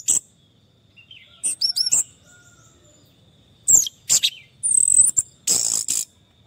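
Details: Orange-headed thrush song as therapy for a stressed bird that stopped singing: varied high whistles, looping slurs and sharp downward sweeps in separate bursts, with short silences between.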